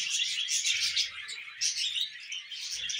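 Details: Loud, continuous budgerigar chatter, a dense tangle of shrill chirps and buzzy warbles filling the whole stretch.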